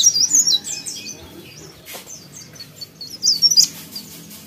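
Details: Sooty-headed bulbul singing energetically: clusters of high, rapid, squeaky chirps at the start and again near the end, with softer scattered notes between and a faint low hum throughout.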